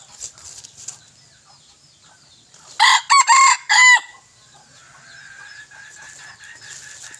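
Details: Crowing from a young male junglefowl kept as a decoy, 21 May 2023. One hoarse crow of three choppy syllables lasts about a second, then a thinner, distant crow trails off over a constant high background hiss.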